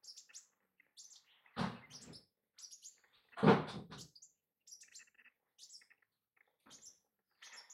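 A male green-tailed sunbird gives thin, very high chips in quick irregular bursts, with softer twittering between. Two loud dull thumps break in.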